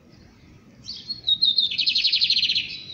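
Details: Lined seedeater, called bigodeiro, singing: a few thin whistled notes rising into a loud, fast buzzy trill of rapidly repeated high notes lasting about a second and a half.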